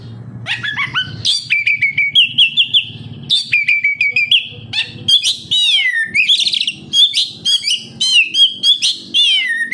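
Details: Oriental magpie-robin (kacer), lively gacor song used as a lure to make captive birds sing: rich varied whistles, rising and falling sweeps, rapid chattering phrases and sharp notes strung in quick succession, faint low background hum.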